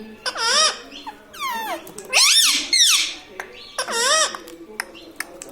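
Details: Caged pet parrot in a house, trained to say mummy and papa, repeats clear two-part, wavering syllables in about five bursts, each rising then dipping, with ticking and small handling noises between.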